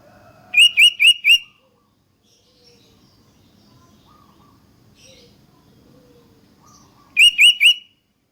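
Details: Sooty-headed bulbul song intended to make other bulbuls sing: two phrases of four rapid, bright, upturned whistled notes, about six seconds apart, with faint soft chirps and quiet hum in between.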